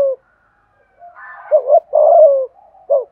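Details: Spotted dove lure cooing intended to make wild doves answer: soft background notes, then a double-humped coo, a long, slowly falling coo and a final short coo.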